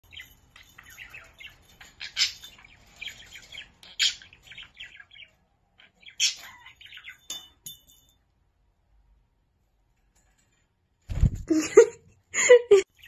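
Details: A male budgerigar gives soft, scratchy chirps and warbled chatter in short bursts, then a sudden metallic clatter as he drops his bell and seems confused.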